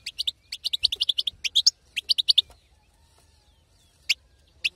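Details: European goldfinch female chatter, called batbata, used to stir a male into song: a fast run of bright, high chirps, then a second short burst, followed by near silence with two isolated notes.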